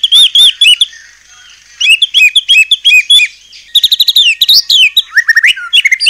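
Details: White-rumped shama song to goad other shamas into singing: groups of rich looping whistles alternating with rapid chattering runs and quick rising notes.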